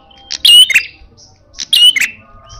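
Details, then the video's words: Two quick bursts of shrill chirps and whistled notes from a fierce red-headed prenjak in fighting style, loud and clear. "Burung prenjak kepala merah galak gaya tarung bagus"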